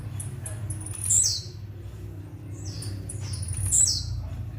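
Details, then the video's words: Blue-black grassquit in metralha song: two high, sliding, downward notes about two and a half seconds apart, with faint soft ticks and a background hum. "TIZIU METRALHA"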